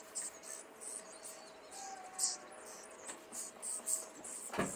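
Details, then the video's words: From a cage in Liepāja, Latvia, in May 2024, young common starlings make scratchy high-pitched calls in uneven bursts, with a faint hum and a sharp knock at the end amid urban background. "MĀJAS STRAZDI / Sturnus vulgaris / būrī. Jaunie putni."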